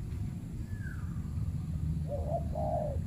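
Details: Spotted dove in a banana plantation, a territorial bird confronting a decoy dove set out by trappers; after a quiet stretch, a short two-part phrase of low, hollow coos closes the recording above a constant low hum.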